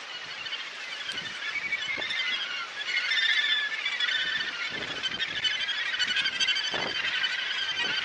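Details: Australasian gannets at their breeding colony at Muriwai, Auckland, New Zealand, January 2022, heard from the lookout above the beach: a dense, unbroken chorus of harsh, grating calls from many birds, swelling louder midway, with faint low thumps.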